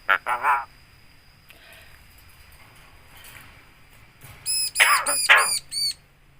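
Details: Javan myna that can talk, imitating a greeting and a cough: a few soft rasps early on, then a burst of five loud, sharply ringing, harmonic squawks in quick succession.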